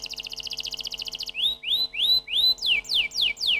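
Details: Canary singing: a fast, even pulsed trill lasting over a second, then a run of upward-swooping whistled notes, then a series of downward-sweeping notes, each phrase repeated about three times a second. A faint, steady low hum runs underneath.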